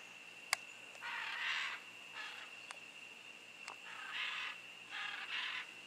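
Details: Pair of wild scarlet macaws in jungle at San Buenaventura, Osa, Costa Rica, January: loud harsh raucous squawks in bursts of about half a second, separated by pauses, over a steady insect drone and a few sharp clicks.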